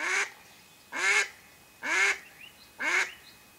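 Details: Mallard hen calling while used to lure ducks for hunting: four strong, harsh quacks repeated roughly once a second, with a faint high chirp between them.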